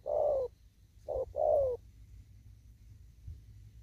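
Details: Wild spotted dove still out in an upland field, cooing in the thúc gù style: a short note, a pause, then a paired short and long coo, the long one sliding downward, over low background rumble.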